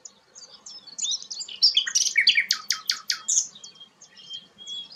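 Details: Sikatan londo, a rare flycatcher, builds from soft twitters into a loud run of rapid, sharp chattering notes, then thin high whistles.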